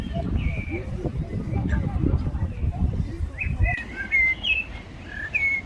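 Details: Gulls fighting over food give a series of short, downslurred, mewing calls in the second half. The calls stand over a steady low rumble of background noise.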